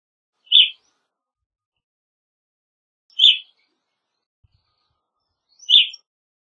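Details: Evening grosbeak calling: three short, loud, burry chirps spaced about two and a half seconds apart, each a brief high note, with silence between and no other sounds.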